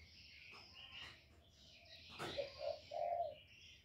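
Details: Spotted dove kept as a lure bird, calling to stir up wild doves: a low three-part coo, two short hollow notes then a longer rolling one, over chirping of other birds in the background.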